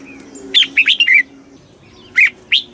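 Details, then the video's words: Red-whiskered bulbul with a quick 'kích bổi' phrase of four clear, slurred whistles, followed after a pause by two single bright notes, a low hum underneath. "tiếng chim chào mào kích bổi cực nhanh"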